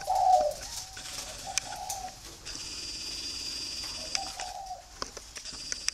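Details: Spotted doves kept free-range for breeding in Ba Vì, Hanoi, Vietnam: a short burst of throaty cooing at the start, a softer coo, then a later faint phrase, over a constant high hum.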